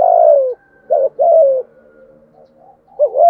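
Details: A 'thổ'-voiced spotted dove calling persistently to lure wild doves into cooing back. The end of a long falling coo, then a full phrase of two quick rounded notes and a sustained downslurred coo, then another phrase beginning.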